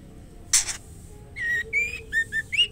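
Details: Female white-rumped shama calling to the male: a sharp broadband click, then four clear whistled notes, flat and slightly rising, the last sliding upward, delivered in quick succession.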